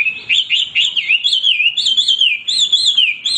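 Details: Hwamei delivering rich warbling song, a flowing chain of looping, undulating whistles that rise and dip continuously, loud and melodious with no pause.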